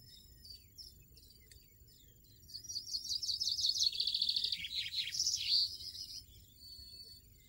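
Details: Wild European goldfinch singing a fluid, liquid twitter of rapid high notes for about four seconds, with trilled buzzy phrases and a bright final flourish, over soft low rumble.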